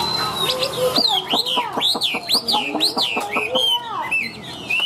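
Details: Caged, tame Chinese hwamei in loud, full voice: a fast run of bright, arching whistled notes, each rising then dropping sharply, repeated several times a second with rich, ringing tone.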